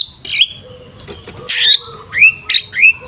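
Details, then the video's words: Oriental magpie-robin in 'tarung ngeplong' fighting song, a lure to rouse rival magpie-robins: a few loud scratchy bursts separated by short gaps, followed by quick upslurred whistled notes. "Suara burung Kacer TARUNG NGEPLONG sangat efektif untuk pancingan Kacer agar emosi"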